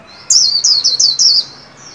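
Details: Trained caged white-eye singing at new year 2021: five shrill, rapidly repeated whistles sliding downward, followed by a soft high trailing note.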